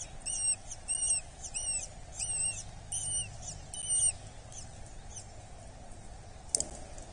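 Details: Hobby chick at a nest in Dorset, 8 July 2024, being fed: a series of thin arched whistles for about four seconds, then quiet with only low hum and a single sharp knock.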